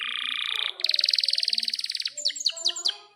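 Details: Long-rolling Atlantic canary song, used to tutor young canaries and silent birds. A low buzzy trill is followed by a crisp pulsed trill, then a string of quick descending notes.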